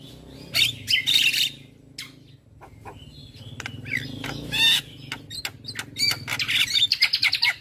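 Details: Javan myna in a morning session meant to teach and prompt other birds, giving scattered harsh rasps and brief whistles, then a fast stuttering run of clicks near the end over a low background hum.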